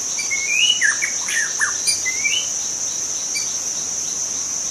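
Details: Forest-dwelling young white-rumped shama, wild, giving a short burst of rising and falling whistles and sharp slurred notes, then going quiet under a constant shrill insect hum.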